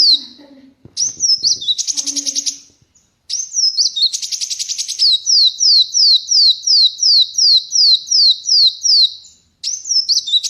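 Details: A hand-held kolibri wulung sunbird singing freely without a cage, mixing high buzzy trills with long runs of sharp descending whistled notes repeated almost three times a second; a faint low murmur at the start.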